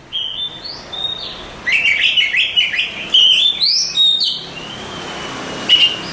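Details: Oriental magpie-robin, a contest champion, opens with soft rising whistles. It builds to a busy stretch of chattering, sliding notes, then holds a long, level, thin whistle before a final sharp chirp.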